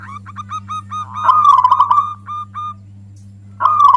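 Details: Loud song of a local zebra dove, kept as a lure to provoke other doves into singing: a string of short clipped coo notes leads into a longer bubbling trill, then a fresh trill starts. Constant low hum underneath.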